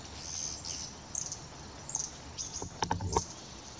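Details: A long-tailed tit (Aegithalos caudatus) recorded on 10 November 2018 gives thin, very high see-see notes in short scattered bursts, with a few soft knocks and background hiss near the end.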